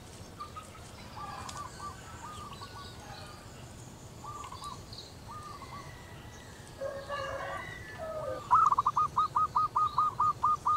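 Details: Local female zebra dove singing (manggung) to call its mate: faint soft coos at first, then a loud, rapid run of about ten even, rolling trilled notes at a steady pitch near the end. Other birds chirp faintly in the background.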